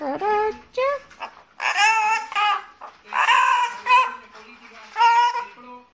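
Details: Amazon parrot imitating phone notification sounds and singing: a run of harmonic, tonal squawks and sing-song phrases in bursts with short pauses, rising and falling notes resembling electronic alerts, indoors.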